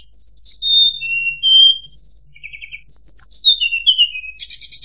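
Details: Tledekan, the Sunda robin, as a lure sound for shama tutoring: pure whistles dropping in stepwise series, a buzzy burst, another falling cascade, and a final harsh rattle-like burst.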